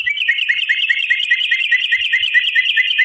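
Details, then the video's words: Yellow-vented bulbul delivering a continuous fast string of bright chirped notes, about seven per second, steady and unbroken, as a long 'ropel' song to provoke other bulbuls into singing; quiet background. "trucukan gacor TARUNG ROPEL PANJANG pancingan trucukan agar bunyi"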